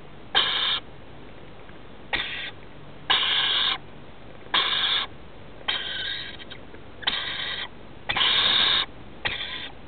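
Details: Baby rainbow lorikeets nesting in a house roof, being fed by adults: loud harsh rasping bursts, each about half a second, repeated roughly every one to one and a half seconds, eight bursts in all against a quiet background.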